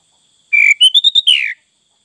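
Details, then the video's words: Song of a sooty-headed bulbul: a short phrase of clear whistled notes, a level note, several short higher notes, then a falling slurred ending. "Burung Kutilang Fulll isian"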